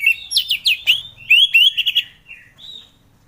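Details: Orange-headed thrush in relaxed, freely flowing song, used in the morning to coax reluctant captive thrushes to sing; a loud run of rich whistled phrases, some rising and slurred, others short and repeated, fading out after about two and a half seconds.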